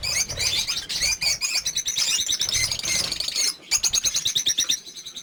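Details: More than fifty caged lovebirds on a breeding farm chirp together in a busy, piercing chorus; rapid rhythmic tweets stand out after a brief lull in the second half.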